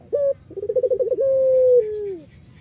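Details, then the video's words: A single phrase from an Irak-variety collared dove, a singer used to draw other doves. It starts with a short note, then a rapid wavering trill, then a long steady coo that slides downward at the end. "BURUNG PUTER IRAK GACOR MERDU"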